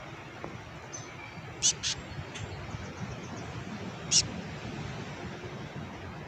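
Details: Black-capped chickadees giving raspy calls: a fast pair of harsh high notes, a fainter third note, then one more buzzy note about two seconds later, against a constant low outdoor rumble.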